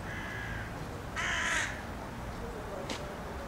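A Eurasian jay gives a single harsh, rasping screech lasting about half a second, followed by a faint short scrape, over a low background rumble.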